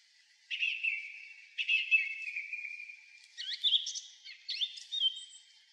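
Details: Evening song of a song thrush perched atop a high pine near Zarechny, 3 April 2023, after 6 pm; a descending whistled phrase given twice, followed by a tumbling sequence of sharp, higher warbled notes.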